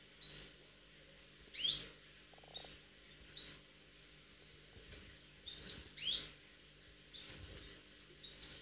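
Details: Canary in lively, attacking singing form: scattered bright chirps sweeping sharply down from high pitch, several loud bursts spaced a few seconds apart, with quieter short notes between and faint low background hum.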